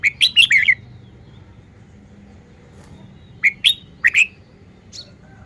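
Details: Red-whiskered bulbul, a caged songbird, showing off its song phrasing: a quick burst of four or five bright, warbled whistled notes, a long pause, then another short burst of three or four rising chirps over faint low background hum.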